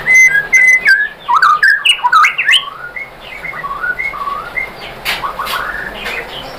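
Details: White-rumped shama song meant to prompt other shamas to reply: opening burst of bright whistles and chattering notes, then softer, more distant slurred whistles over a steady hiss of background noise.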